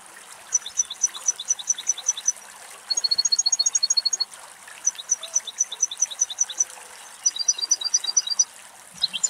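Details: Adult male European goldfinch in a small cypress somewhere in the Greek countryside on a windy day, giving high, rapid, tinkling trills in short bursts, one faster ticking run in the middle, with a faint hiss in the background.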